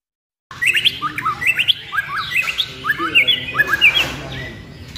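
A white-rumped shama delivers a fast run of bright, sharp whistled notes, several per second, in quick rising and falling flicks, with a faint background hum.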